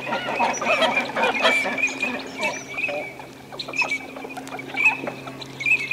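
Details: Eurasian teal in courtship display in a busy group at the Aiguamolls de l'Empordà wetland, Spain, on 25 December 2015: short, high, ringing whistled notes overlap from several birds, with softer duck chatter beneath.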